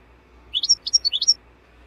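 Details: European goldfinch singing for cage-bird training, a lively twittering phrase of about eight rapid high notes rising and falling, some with sharp upward flicks, over a quiet low hum.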